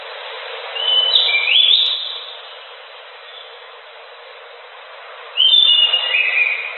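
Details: Anis macan, the orange-headed thrush, in full gacor song: a clear whistled phrase dropping in steps, a long pause, then another high phrase sliding lower, over faint steady hiss.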